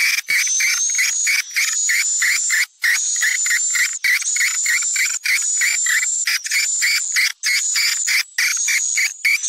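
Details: Swiftlets' popular Sumatran calling sound: a dense, buzzy, high-pitched twitter in bursts about every second, with brief gaps and no other sounds.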